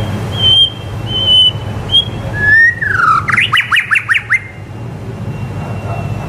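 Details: White-rumped shama (murai batu) song used to teach young shamas: clear level whistles, a descending slur, then a rapid rhythmic series of sharp rising notes, with low background hum.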